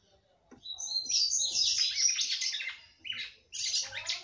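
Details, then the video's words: Female red-cowled cardinal singing at length to stimulate the male: bright, rapid, chattering phrases of high whistled and buzzy notes, a short pause, then another burst. "FÊMEA DE GALO DE CAMPINA CANTANDO MUITO PRA FOGUEAR SEU CAMPINA"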